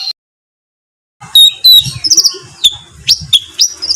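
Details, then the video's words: Master-recording songbird for training contest birds, giving scattered thin whistles and sharp, slurred, rough notes after a pause, with faint low rustling behind. "suara tembakan kasar untuk masteran"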